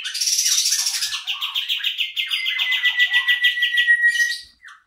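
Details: Lure recording of a kapas tembak bulbul: rapid chattering run of high chirps over lower warbled notes, ending in a drawn-out whistled tone and a brief final chirp before silence.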